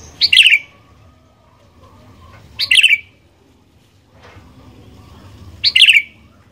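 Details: Sooty-headed bulbul singing, played to make other bulbuls sing: loud bubbly whistled phrases, each a quick cluster of notes, repeated three times at intervals of about two and a half seconds, with quiet between.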